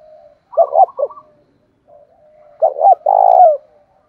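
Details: Spotted dove decoy used to lure wild doves, thổ-style call: stuttered short coos, a quiet pause with a faint soft note, then a double coo and a long low coo.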